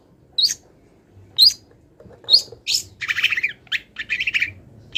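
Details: Long-tailed shrike, not finished molting, singing a song stuffed with wild-bird imitations: three clear upslurred whistles about a second apart, then scratchy buzzy chattering phrases.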